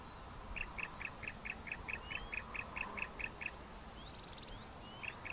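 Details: Bar-throated Apalis pair, the male louder and lower: a long even run of about fourteen clipped chirps, close to five a second, then a thin rising squeak and a couple more notes against steady hiss.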